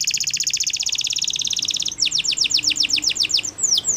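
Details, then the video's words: Training song of a Waterslager canary, opening with a long even rattling trill of about two seconds, then a series of clear downward-sweeping whistles and a couple of slower swoops. "Waterslager Canary training Songs"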